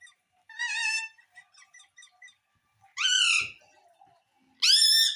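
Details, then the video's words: Household parrot speaking to ask for food: three strong, nasal, word-like calls separated by a second or two of quiet, with faint soft clicks and ticks in between. "मम्मी मिट्ठू को रोटी दो _ Parrot Talking Everything _ मिट्ठू की प्यारी बातें"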